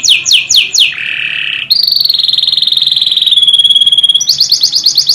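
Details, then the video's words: Canary song for training: quick descending whistles, a low buzzy trill, then a long sustained rolling high trill and a fast repeated-note tour. "KANARYA SESİ EĞİTİM ÖTÜŞÜ CANARY VOICE!!!"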